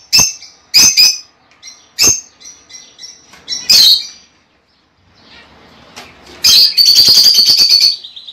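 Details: Lovebird calling, used to prompt a female to lay eggs: a series of sharp, high chirps with softer notes in between, a brief pause, then a loud stretch of rapid, buzzy chatter.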